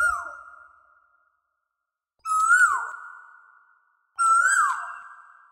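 An Asian koel gives three loud, clear whistled notes about two seconds apart. Each note swells and then slides downward, trailing off in a long echo.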